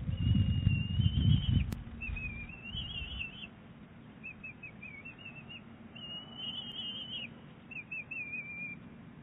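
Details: Calls exchanged between a bald eagle eaglet and its mother at Big Bear Lake, 23 April 2018: a series of high, quivering whistled phrases, some broken into quick chittering notes, after an opening burst of low rumbling noise.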